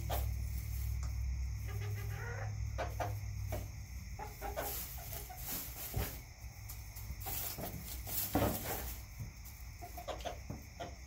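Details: Chickens in a backyard, a flock raised for fresh eggs, cluck softly and irregularly near the start, later mixed with scratchy broadband rustling and knocks; low hum throughout.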